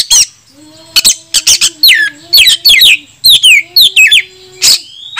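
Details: Oriental magpie-robin in full fighting song, meant to lure rival kacer into tail-spreading and repertoire display: dense repeated swooping whistles and harsh chattering bursts, roughly two a second, over a faint low tone.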